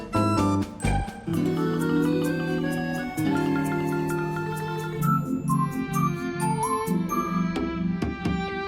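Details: Layered instrumental music with mallet tones and sustained chords, free of any animal sounds.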